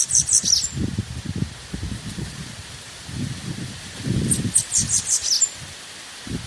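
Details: Bananaquit song played to warm up and stir other birds: two short bursts of high, thin, twittering notes, each under a second, separated by several seconds of low rustling and handling noise.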